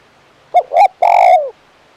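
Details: Spotted dove of the crisp 'kuk 1' style giving one close, clear phrase: a short coo, a slightly rising second coo, then a long resonant croo sliding downward.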